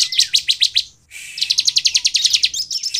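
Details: Bar-winged prinia singing as a lure for others: a quick series of bright, high notes repeated about six times a second, a short pause, then a longer even rattle.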